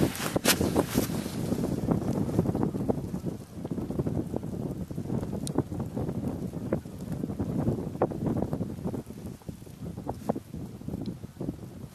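Steady wind buffeting the microphone with low rumbling and faint voices, and no animal sounds.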